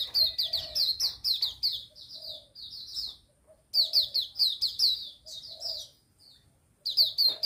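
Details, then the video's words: Wild Hume's white-eye in morning song: quick high-pitched twittering phrases, sweet descending trills delivered in runs, separated by brief gaps, with a softer low call underneath now and then. "Mata puteh ngalas pagi"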